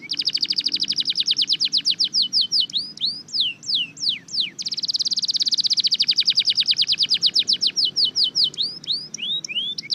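A red factor canary sings loud, rapid rolling trills of repeated high notes, with slurred downward whistles and fast chattering runs between the rolls.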